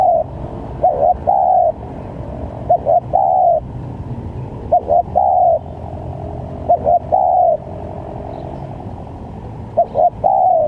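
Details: Spotted dove calling as a lure for trapping wild doves, varied phrases: two short clipped coos then a longer drawn-out coo that slides downward, repeated roughly every two seconds over a steady low rumble.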